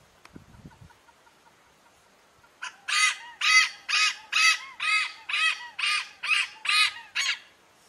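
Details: Great hornbill at Kyari Village near Jim Corbett, India, giving about ten loud, harsh, nasal barks in a steady series, roughly two per second; faint low knocks before.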